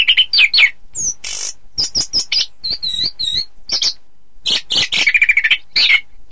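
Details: Orange-headed thrush in full song for contest training, mixing quick chirps, sweet whistled notes, a scratchy burst and a fast stuttering trill near the end, all delivered in a lively, varied stream.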